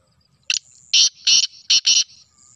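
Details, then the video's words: Black francolin (Sindhi kala teetar), recorded 25 June 2024: a loud, harsh, grating phrase of five rasping notes, a short first note then four broad scratchy bursts in quick uneven rhythm, with a faint thin high hiss between them. "Kala Teetar Ki Awaz"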